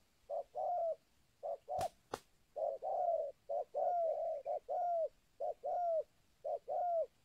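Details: Local-type spotted dove used as a lure for wild birds, with repeated cooing phrases: a short note followed by a longer mellow coo, about once per second, with two sharp clicks midway.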